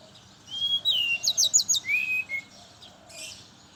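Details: Brown-chested jungle flycatcher singing in the morning, used as a lure for others of its kind: clear whistled notes, then a quick run of rising-falling high chirps and a lower level whistle, with soft background noise.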